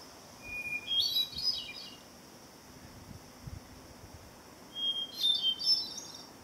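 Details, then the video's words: Ethereal song of a hermit thrush at sunset, summer solstice 2013, Old Ridge Trail down Simpson Hill; two clear phrases about four seconds apart, each a steady whistled note leaping into higher, shimmering flutey trills, with a calm, hissy backdrop. "Hermit thrush song"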